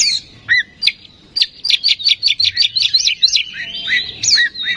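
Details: Oriental magpie-robin song as a singing lure: a few whistled notes, then a rapid series of about a dozen sharp repeated chips, closing with slurred whistles.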